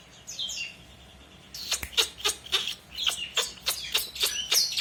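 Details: Energetic long-tailed shrike song used as a training model for other birds: soft high chirps open, then a burst of loud, rapid, harsh notes repeated several times each second.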